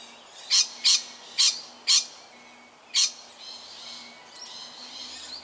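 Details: A nervous lorikeet near a tiger snake in suburban Melbourne, Australia, on 13 October 2019 gives five harsh, rasping screeches, four in quick succession and one after a pause, against a faint steady hum.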